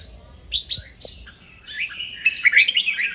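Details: Caged red-whiskered bulbul played for training other birds to sing: short bright chirps near 0.5 and 1 second, then a rapid warbled phrase of rising and falling whistled notes late in the clip.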